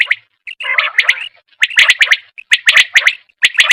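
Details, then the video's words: A female common quail calls during a 2023 hunt. Fast bursts of sharp double clicks and chirps run with a gurgling phrase early on and brief gaps between groups. "Quail Sound"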